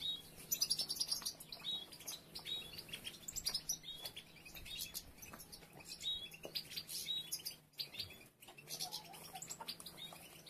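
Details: European goldfinches while females begin gathering nest material, with several nests under construction; fairly faint, dense high twittering and tinkling chirps from several birds, with short clear whistled notes and a low steady hum beneath.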